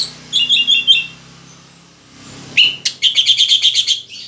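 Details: Orange-headed thrush kept in a cage and still moulting, singing strongly: two bursts of rapid, bright, repeated chirping notes, the first short, the second after a pause of over a second.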